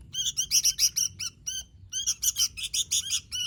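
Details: Sooty-headed bulbul singing lively, gacor style: two quick bursts of about eight clear, twangy chirps each, split by a short pause.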